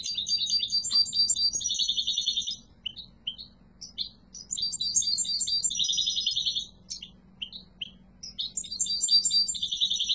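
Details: European goldfinch, yellow mutation, sings long bright phrases of rapid tinkling and buzzy trills, separated by runs of short chirped notes and brief quiet gaps.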